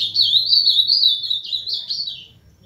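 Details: Ultramarine grosbeak, or azulão, in 'máquina' song: a brisk, tumbling series of clear warbled notes fading out after about two seconds, accompanied by a constant low hum.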